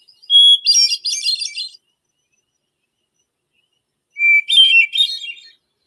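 Two hermit thrush phrases about four seconds apart, each opening on a long pure whistled note and breaking into a fluty, ringing flourish. The second phrase starts lower.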